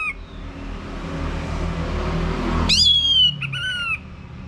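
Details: A short song phrase of an orange-headed thrush, for coaxing males into loud ngeplong singing: after a stretch of low rumbling noise, a bright whistle falls in pitch, followed by a second flat whistled note.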